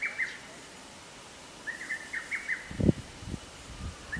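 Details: Lesser cuckoo recorded 24 May 2020 at Atarashiki-mura, Moroyama, Japan: brisk staccato note series at the start and again midway, with a few dull low thumps and handling knocks near the end.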